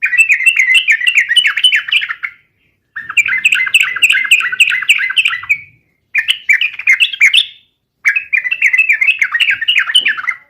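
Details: Yellow-vented bulbul singing, used as a lure to make other bulbuls start singing: bubbly, warbling phrases of mid-pitched liquid notes, delivered in four long bursts with brief gaps between them.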